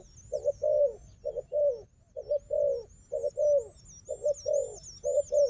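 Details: Fighting wild dove answering a decoy: soft low coos grouped in twos and threes, the last note longer and falling, under a continuous high warbling twitter.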